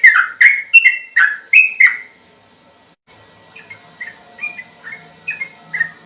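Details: Sooty-headed bulbul ropel song, offered as a training recording: two seconds of loud, rapid whistled notes, a short pause, then a softer run of separate whistles.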